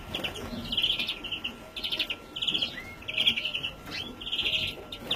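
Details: Young European greenfinch from 2017 calling in a rapid series of buzzy, grating chirps in short clumps, one brief rising whistle among them, and a faint continuous hum behind.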